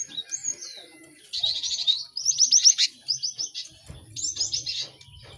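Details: Busy cinereous tit chorus to help birds pick up song quickly: a thin whistled note, then dense buzzy chatter and fast repeated high chirps in several bursts, with faint background hum.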